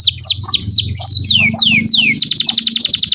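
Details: Vigorous canary song for teaching young canaries: high falling sweeps that slow and lengthen, then a quick rattling trill, with a low hum underneath.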